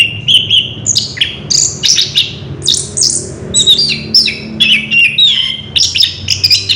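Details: Orange-headed thrush in full ngerol song, an unbroken stream of bright, varied whistles, trills and chirps, each phrase changing pitch quickly, with a soft low hum in the background.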